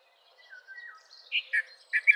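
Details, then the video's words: Red-vented bulbul singing a cheery phrase of short, loud, liquid notes in quick succession after a few softer slurred whistles, against a quiet background. "Red-vented Bulbul Song ! Red-vented Bulbul Call ! Red-vented Bulbul Sound! Red-vented Bulbul Vocals"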